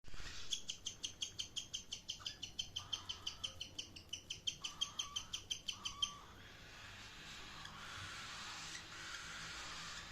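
A cockatiel gives quick, sharp chirps about three a second for six seconds, with a few lower warbled notes, then quieter background hiss.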